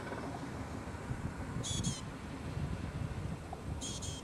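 A Loggerhead Shrike gives two brief, harsh, raspy bursts about two seconds apart, high and grating, over a steady low rumble of wind.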